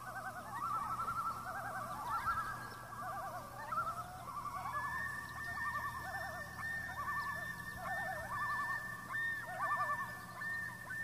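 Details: Wild common loons, a group of seven on Intermediate Lake in August, call together: several overlapping quavering tremolos, fast and laughing, with a longer steady wail-like note joining midway, against low ambient noise.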